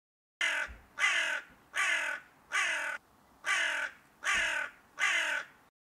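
A crow gives seven harsh, rasping caws in a steady series, about one every three-quarters of a second, with nothing else heard.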